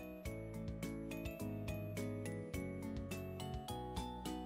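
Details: Busy instrumental music with a steady beat, bright tinkling notes and a low bass line fills the whole stretch, with no animal voice.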